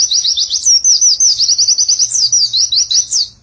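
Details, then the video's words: Fast, sharp high chirps from a white-eye delivered in a steady stream, with repeated upward and downward flicks, in the continuous ngecer-style nembak song. "burung pleci nembak rapet witwitwit sambung ngecer sadis"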